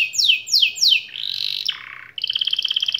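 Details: Canary singing to stir silent canaries into song: three sharp downward-sweeping notes, a harsh buzzy phrase, a lower nasal buzz, then a quick pulsing trill.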